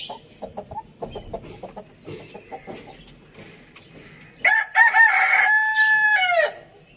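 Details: Quiet rhythmic clucking and chatter, then a single full crow from a rooster in a farm village. It runs about two seconds, strong and buzzy, and finishes in a descending slur.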